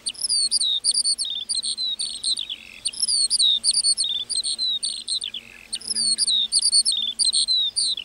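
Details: Meadow lark in song, pouring out a continuous stream of high chirps and slurred whistles in rapid bursts, pausing briefly near the middle before resuming just as busily.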